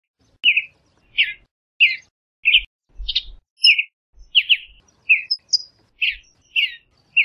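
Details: Western bluebird singing: a steady series of short, burry chirped notes around the same mid-high pitch, about one every half second, with a few thin higher notes between; background otherwise quiet.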